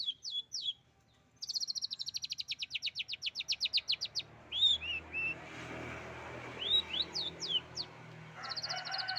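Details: Long-tailed shrike imitating canary song: a few high whistled notes, then a rapid, even trill of sharp chirps for about three seconds, followed by scattered looping whistles over steady background hiss.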